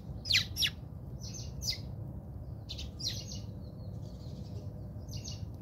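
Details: Fighting house sparrows in a South African backyard: two loud piercing chirps at the start, then scattered buzzy chattering notes at irregular intervals over a low hum.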